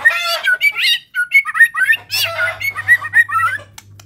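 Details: White-rumped shama (murai batu) from Medan in full 'gacor' singing with varied 'isian' filler material: a rapid, tumbling warble of sliding, twisting whistled phrases, mid to high pitched, broken by brief harsh notes, with a low steady hum behind.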